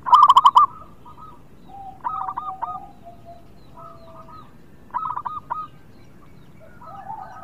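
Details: Local zebra dove singing to stir reluctant birds, opening with one loud burst of quick coo notes, followed by several quieter rolling coo phrases from other doves.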